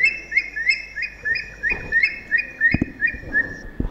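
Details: Eurasian thick-knee near Sangli, Maharashtra, India, giving a fast run of short, shrill whistled notes, about three a second, over a few low thumps and knocks; males call after dusk in the breeding season.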